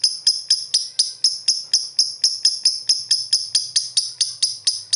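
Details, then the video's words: Lovebird singing in the ngakak style, recorded as masteran: an even string of high, clipped chattering notes, roughly four a second, with a faint low hum underneath. "Master lovebird 100% ngakak gacor"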